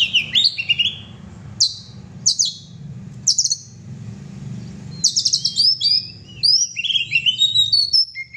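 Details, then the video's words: Oriental magpie-robin giving short, separated bursts of high whistled notes, then a longer flowing phrase of varied whistles and slurs, with a low background hum. "kacer gacor"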